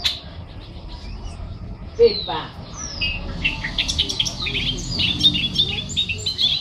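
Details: Newly arrived charlatan singing, opening with a sharp click and descending notes, then a dense burst of high squeaky twitters and chirps growing louder toward the end.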